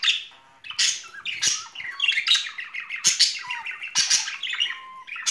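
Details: Pair of pet budgerigars showing spring courtship: continuous scratchy warbling chatter, fast chirps, clicks and squawks with brief whistled notes between.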